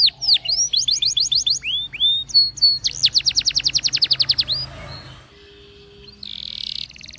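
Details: A Belgian canary delivers a training song of quick downward-swept whistles, then a long rapid trill of evenly spaced notes. The song fades, leaving a soft low tone, then a brief buzzy burst at the end.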